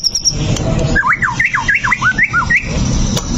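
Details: Brief burst from a fighting white-rumped shama, used to provoke a rival: a quick run of loud looping whistles, each bending up and down, with a faint high note at the start.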